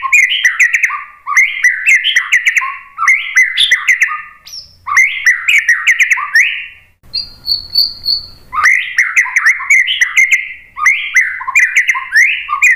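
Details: White-rumped shama lure song to get other birds singing back. Repeated bursts of lively, jumping whistles and chirps run throughout, with a short pause holding a soft high trill midway.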